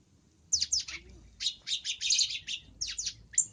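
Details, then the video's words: Long-tailed shrike on a full fill-in cendet training recording, delivering a dense, busy burst of scratchy chirps and slurred downward notes run together with hardly a pause. "MASTERAN BURUNG CENDET FULL ISIAN GACOR"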